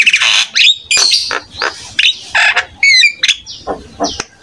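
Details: Energetic jalak kebo (buffalo starling) song used as a master recording to make other starlings answer and imitate: rapid mix of harsh squawks, clicks and bright looping whistles, each burst short and separated by brief pauses.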